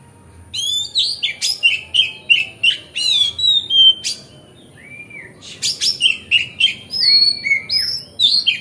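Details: Magpie-robin (kacer) in full, relaxed song, played to stir other magpie-robins into opening their tails: a rapid stream of varied whistled phrases, scratchy buzzes and sharp chips, with a brief lull midway before the rich whistling resumes.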